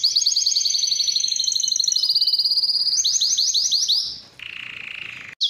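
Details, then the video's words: Training song from a Spanish timbrado canary, a dense ringing trill of quick repeated notes, then slower rolling sweeps and a lower buzzy sustained phrase before an abrupt cut. "SPANISH TIMBRADO SONG FOR TRAINING / CANARY TRAINING SONG"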